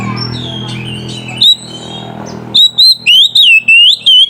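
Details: Ngeplong-style oriental magpie-robin song calling out a rival, a lure for young birds in training: after a murmuring background and one lone whistle comes a brisk string of six loud, pure whistled notes.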